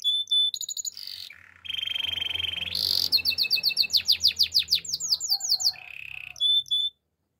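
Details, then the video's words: Singing male canary: short high trilled bursts, a long low buzzing roll, then a rapid cascade of sharp descending whistles, ending in a brief rolled phrase before silence. "Male canary singing with beautiful voice"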